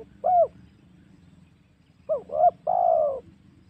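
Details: Luring call of a spotted dove, intended to provoke wild doves for hunting: a lone coo, a pause, then two quick coos and a long coo gently descending.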